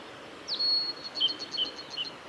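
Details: Male blue-and-white flycatcher song, recorded 17 May 2020 on the Kanazawa forest road at Lake Miyagase, Japan. A sharp upslur leads into a long, pure high whistle, followed by several short clipped notes and lower twangs, against steady ambient hiss.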